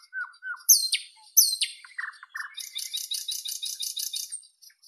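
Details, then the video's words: Nightingale giving low whistled notes, then two loud high swooping whistles, a few lower chuckling notes, and a fast dry rattling trill that carries to the end. "Nightingale Birdsong"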